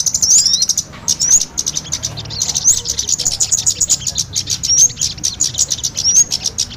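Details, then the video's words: Kemade and sogon birds mixed as a bird-trapping lure: a busy stream of high twittering and clicking notes with brief rising whistles, a short dip in activity near one second. "Pikat burung kemade kombinasi Sogon"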